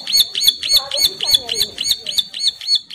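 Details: Mate-calling bar-winged prinia female in breeding condition gives around eleven ringing, high chirps at a brisk, steady pace. Soft lower warbling notes from another bird sound between them.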